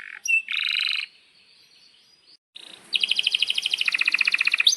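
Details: Canary song for training young canaries: a short buzzy trilled burst, a pause with a thin sustained whistle, then a long fast rolling trill of sharp repeated notes.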